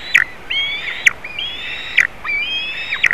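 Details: White-tailed eagle at a nest in Latvia, with a juvenile visiting eaglets, caught by a live nest camera on 27 June 2019. High, clear whistled calls come in a steady series, each held level and then dropping at the end, with sharp clicks between them.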